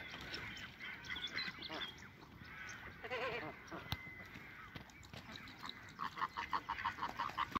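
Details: Chilean flamingos in a displaying flock at WWT Slimbridge, March 2020: a murmuring chorus of nasal calls, then a run of short, evenly spaced honks near the end.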